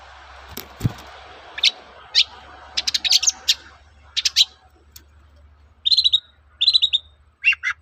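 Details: Long-tailed shrike singing energetically as a lure to provoke other shrikes into replying; scattered sharp chirps and clustered buzzy notes, ending in clear whistled downslurred phrases, over a low steady hum and a thump early on.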